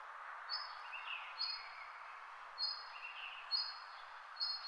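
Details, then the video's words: Birds chirp in brief high whistles, five in under five seconds. Fainter lower warbles sit between them, and a constant hiss of mixed background birdsong runs throughout. "Birds chirping sound"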